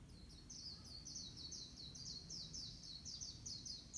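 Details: Small bird singing in the morning: a fast, steady run of high, thin down-slurred chirps, several per second, continuing without a break over a low background rumble.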